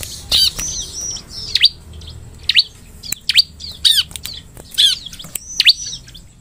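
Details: Ciblek, the bar-winged prinia, singing to draw song from other ciblek: sharp downsweeping chirps and short whistled phrases, repeated irregularly roughly every second, over a faint steady high hiss.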